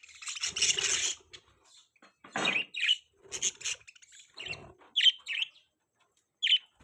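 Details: Several pet budgies chattering: harsh broadband scratchy notes alternate with short, bright, clipped chirps, irregular and overlapping, with small gaps of quiet.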